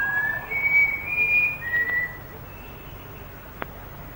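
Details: Plain babbler singing in Malaysian rainforest, recorded late 1950s to early 1960s; a run of clear whistled notes stepping up then dropping, about five phrases, fading into quiet background with a single click.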